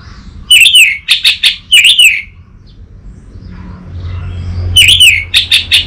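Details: Orange-headed thrush song from North Bali, Singaraja, used as a lure and master recording for a young untrained bird. Loud, shrill phrases of rapid chattering notes with rising and falling whistles, sung in bursts separated by a short pause, over low hum.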